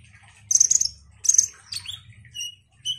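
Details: Lively ruby-cheeked sunbird: two quick bursts of very high buzzy twittering, followed by a thin downward-sliding note and a couple of short, clear whistles.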